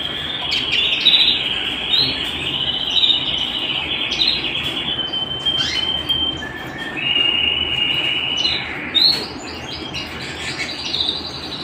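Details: Canary singing at home: long rolling trills held near one steady pitch, with brief rises and drops between phrases and a few sharp chirps layered on top, continuing without a break.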